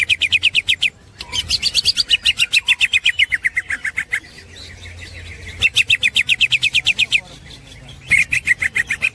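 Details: Green leafbird in full 'ngekek' chatter for training songbirds: long, fast series of sharp repeated notes, a short break, another extended run rising slightly in pitch, then renewed rapid bursts.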